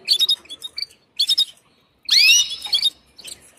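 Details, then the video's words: Female canary calling to a male for mating: short bursts of high chirps and squeaky notes, then a louder chattering phrase with rising whistled sweeps near the two-second mark, and a few soft chips at the end. "نداء أنثى كناري للتزاوج"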